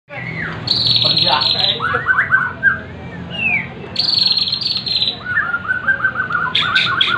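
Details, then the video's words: Bornean white-rumped shama singing a varied, rich phrase mixed with a repeated buzzy high trill and quick descending notes, mimicking a prinia; faint insect hum beneath. "MURAI BORNEO TEMBAKAN PRENJAK"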